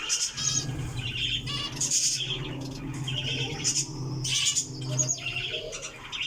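Java sparrows chatter in quick, bright chirps and clucking notes, several birds overlapping in busy bursts over a steady low hum.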